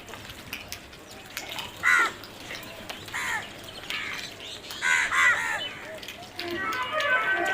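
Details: Crows giving harsh, raspy caws in short bursts, some doubled, spaced irregularly over several seconds. Softer higher chatter and background noise run underneath.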